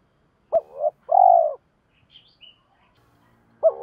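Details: Spotted dove used as a decoy to challenge and lure wild birds: a hooked coo and a long low coo, a pause with faint high chirps, then a new coo begins.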